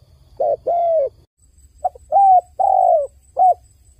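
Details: Crying dove: a two-note coo phrase, a brief pause, then a three-note phrase of arched hooting notes, one slightly broader and throatier, with a faint high whine behind.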